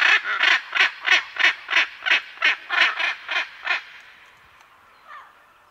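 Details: Pair of Hyacinth macaws calling at medium-close range: a steady run of about eleven harsh, rasping squawks, roughly three per second. They fade into quiet with faint chatter from other parrots and birds behind.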